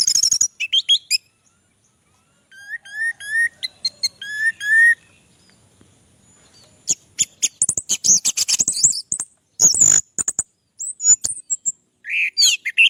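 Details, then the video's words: Caged orange-headed thrush from Java, recorded on an Android phone, singing: short clear whistled notes near the middle range repeat in a rising series, then very high chattering and buzzy bursts fill the second half. "BURUNG ANIS MERAH MU JADI GACOR"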